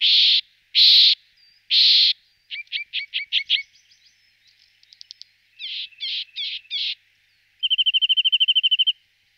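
Corsican nuthatch giving three harsh, nasal notes, then quick chattering series and a fast, even trill to finish, all high-pitched and clear in silence.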